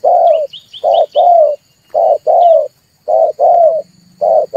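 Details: Lure recording of a red turtle dove for trapping, meant to spur other birds to call: paired low coos, short then drawn-out, repeating about once a second, with faint thin chirps early on.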